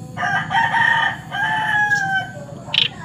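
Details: A juvenile Javan pied starling, still in spotted young plumage yet already singing fully, gives a loud, harsh whistled phrase of two drawn-out notes ending in a sharp high squeak, over a steady low hum.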